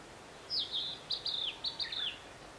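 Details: Narcissus flycatcher song near Matsunoyama Onsen hot spring, Japan: a short phrase of four or five bright whistled notes, some sliding downward, ending on a lower dipping note, over soft background hiss.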